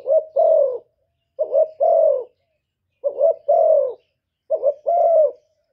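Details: Spotted dove in 'thổ thúc' voice calling to lure and provoke rivals: four low double coos, each a brief rising-falling note then a longer gently descending one, nothing else audible.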